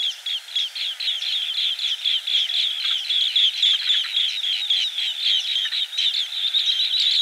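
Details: Green bee-eater chatter: rapid, rhythmic high chirps about four per second, several callers overlapping in a lively, even stream.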